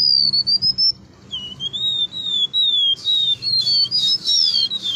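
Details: A Golden-bellied Gerygone, just released from its cage, sings thin, high, sliding whistles that waver up and down in a near-continuous wispy stream, over a faint low hum.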